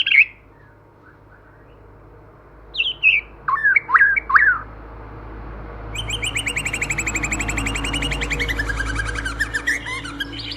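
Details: White-rumped shama, female or male-and-female pair, wild forest style lure song: a few sharp notes, then a long rapid trill of high repeated notes over a steady low hum.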